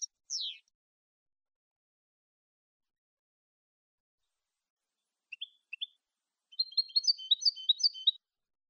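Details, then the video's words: Malagueño-style goldfinch song recorded clean for educating caged goldfinches: a single downslurred high note, a long silence, two brief chirps, then a busy, jingling twittered phrase near the end. "NUEVO CD MALAGUEÑO LIMPIO PARA EDUCAR JILGUEROS"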